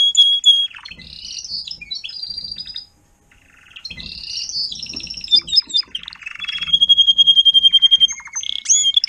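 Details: Singing Timbrado canary, an adult tutor instructing young canaries in 2021, delivers rolling trills and whistles, pauses briefly, then resumes with a level held whistle and a run of evenly pulsed notes near the end; faint low thumps underneath.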